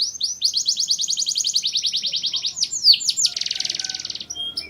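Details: Mushti canary singing to stir up females for mating: a fast, even trill of repeated syllables, then a few steep downward-sweeping whistles and a dense, buzzy rolled tour at the end.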